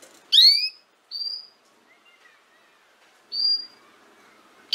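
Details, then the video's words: Canary sound for teaching young canaries to sing: a loud rising swoop with overtones, followed by two thin flat whistles and faint soft notes in between. "Chant De Canari Pour Apprendre Au Jeune Canaries"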